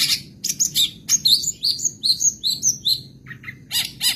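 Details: Madura long-tailed shrike (cendet), a kept songbird, singing a mimicry-rich 'isian sekebon' song: harsh bursts, then a quick run of high slurred whistles and chirps, ending in more rasping notes.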